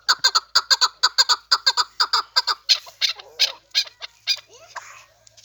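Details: Chukar partridge kept as a hunting bird gives a rapid series of harsh, clucking chuk notes, about two per second. The notes are evenly spaced at first, then grow louder and more ragged toward the end.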